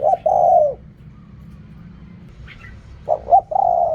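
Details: Spotted dove coo in the Thai riak kham, khu kham style. A long low coo fades, a brief higher chirp sounds in the silence, and a new phrase starts with two quick notes and a sustained coo.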